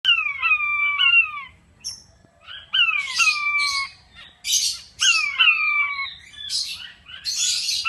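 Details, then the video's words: King quail in an aviary calling: a series of loud descending whistled notes with a slight step, each phrase about a second long, repeated three times with harsh noisy bursts between them. "Sound of king quail/puyuh batu"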